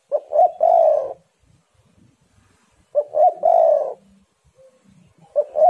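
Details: Energetic spotted dove song, competing birds heating up: low mellow coo phrases, two or three clipped notes then a drawn-out burry coo, repeating roughly every three seconds with faint soft background murmurs between.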